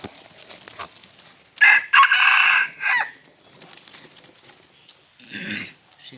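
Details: Red junglefowl crowing: a short opening note, then a long, harsh, harmonic-rich middle section and a clipped closing note, lasting about one and a half seconds, followed later by a fainter, lower call against quiet background murmur.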